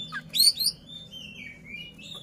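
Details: Brief burst from a kacer (Oriental magpie-robin) singing to rile a rival: a cluster of bright high slurred whistles, then thin, steady descending whistled notes.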